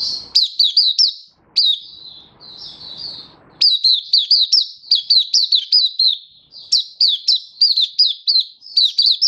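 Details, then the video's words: Oriental white-eye in happy open song, dated 24 February 2023: bursts of quick, sharp, high chirps, a short soft warble, then a long energetic run of crisp repeated notes. "Mata Puteh Happy Buka Sing"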